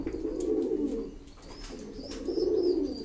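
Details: Mukhi fancy pigeons, a domestic breed, cooing in a low, throaty, rolling murmur, two swelling coos separated by a brief dip, with faint background rustle.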